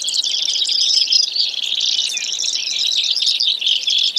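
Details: Brewer's sparrow delivering a long run of thin, fast, buzzy trills, high and continuous, with slight changes in pitch from phrase to phrase.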